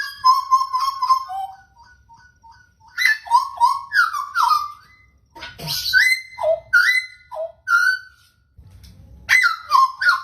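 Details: Pied butcherbird song: clear, fluting whistled phrases near the middle range, with sliding and falling notes and rich overtones, given in bursts separated by short pauses.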